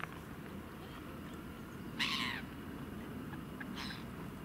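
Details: Swan from one of two swan families squabbling over territory on the Exeter Ship Canal near Double Locks gives one short, nasal, slightly rising call, then a fainter echoing note, over a steady low rumble.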